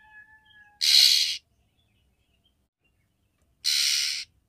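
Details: Female oriental magpie-robin calling to stimulate a male for mating: two loud scratchy rasps nearly three seconds apart, preceded by a faint low drawn-out tone.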